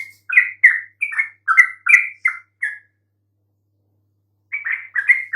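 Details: Yellow-vented bulbul song used to lure other bulbuls into answering: a burst of short, bubbly, downslurred notes for nearly three seconds, a pause of almost two seconds, then the chattering resumes.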